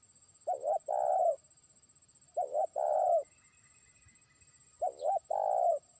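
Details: Spotted dove, a trained lure bird, calling toward a distant rival: three phrases of a double short note and a drawn-out coo, the last after a longer pause, in quiet surroundings.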